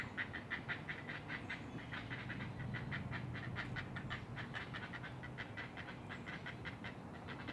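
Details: Great blue heron at the nest, Eastern Shore of Maryland, Chesapeake Bay, 20 June 2018 around dawn; dense, continuous series of short dry clacks, slightly irregular, over low rumbling noise.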